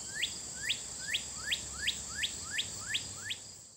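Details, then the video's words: A northern cardinal in a local park along a river sings a steady run of eight clear, upslurred whistles, about two to three per second, over a constant high hiss. "The bird you can hear singing is a northern cardinal."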